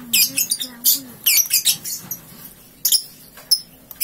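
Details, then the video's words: Freshly woken three-month-old lovebird giving ngekek: bursts of quick, high, scratchy chirps packed close together in the first two seconds, then sparser sharp chirps, with a faint low voice-like hum underneath. "Paud 3 bln Bangun tidur langsung ngekek"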